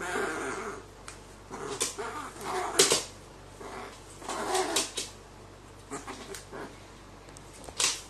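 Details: Juvenile crow kept with a trio of four-legged animals gives its cute, pleading begging call left over from chickhood, a voice only chicks make: harsh, breathy bursts at uneven intervals over a steady background hiss.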